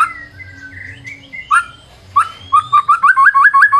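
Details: White-rumped shama song used as a lure, softer at first with scattered whistles, then a steady run of about nine quick repeated rising notes.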